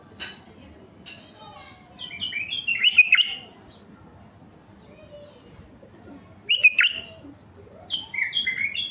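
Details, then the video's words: Song of a mutation stud male White-eared bulbul, kept to stimulate raw wild bulbuls: widely spaced bright warbled phrases of swooping whistles, three bursts across the stretch with quiet gaps between. "تغريد بلبل عراقي طفرة فحل لفتح البلابل الوحشية الخام"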